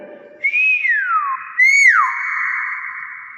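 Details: Nias hill myna, natural voice: two loud clear whistles, each rising briefly then sliding steeply down, the second followed by a long steady tone.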